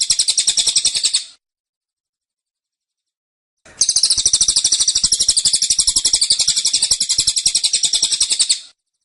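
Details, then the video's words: Cililin in a cage pouring out dense, insistent 'tembakan' phrases. A short run of shrill rapid chirps, a two-second pause, then a long five-second volley of fast, even, high notes. "Tembakan Cililin Suara Rapat Dan Ngotot"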